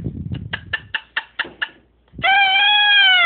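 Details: Indoor pet Moluccan cockatoo chattering to its owner about its day: a quick run of seven short clicking notes, then a long, loud, steady harmonic screech held for over a second.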